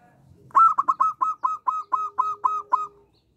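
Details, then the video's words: Local zebra dove in full song: a quick run of about ten clipped, hollow cooing notes on one mid pitch, loud and evenly spaced, fading slightly toward the end, against a quiet background. "Perkutut lokal gacor suara kecil"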